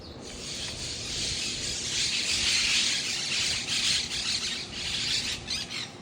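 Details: Wild monk parakeets giving a continuous dense chatter of harsh, overlapping squawks and screeches that swell toward the middle and break into separate bursts near the end.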